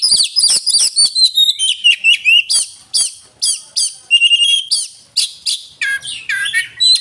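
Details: Oriental magpie-robin (kacer) in rich varied song: fast series of loud, sharp downslurred whistles and chips, about three per second, mixed with clear sustained whistled phrases and trills.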